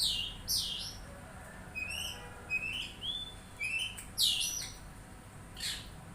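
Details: Oriental magpie-robin responding with a string of clear whistled, upslurred notes broken by harsh, scratchy bursts at the start, middle and end, over a low steady hum.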